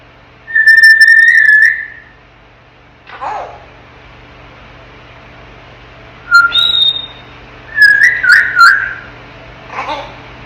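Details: Ten-month-old pet African grey parrot in its crib, talking and making sounds: a steady whistled note, a soft grunt, then bright rising and falling whistles with sharp clicks, ending in a short husky burst.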